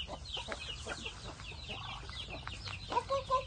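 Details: Chickens in the morning, heard live: many overlapping clucks and short squawks from several birds, fairly busy and irregular, with a few clearer tonal notes near the end over low background rumble.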